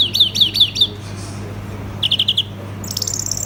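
European greenfinch singing in quick twittering bursts of bright, slurred notes, then a short rattling trill over a steady low hum.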